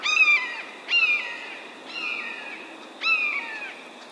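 A Red-shouldered Hawk gives four loud, ringing kee-ah calls about a second apart, each slurring downward. There is little else in the background.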